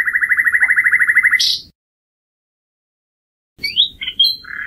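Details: A rapid, machine-gun rattle of identical notes from a common nightingale runs for about a second and a half. After a pause come several separate whistled and slurred notes.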